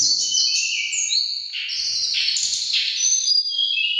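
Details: Mountain tledekan, emotional and competing vocally with other birds, gives a rich, unbroken medley of very high whistled notes that jump and slide between pitches, with faint low sounds in the background.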